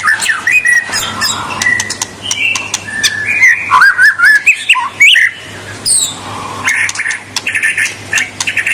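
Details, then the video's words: White-rumped shama (murai batu) singing hard to set rival birds off: a rich medley of fluty whistles, slurred upward notes and clicks, shifting pattern every second or so, over a constant low hum. "Suara kicau murai batu super gacor.Membuat Murai lawan mbagong"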